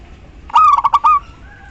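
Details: ['Local female zebra dove calling for the male as a lure to restart silent males: a lone phrase of four to five fast, evenly spaced coos finishing on a longer held note over low hum.']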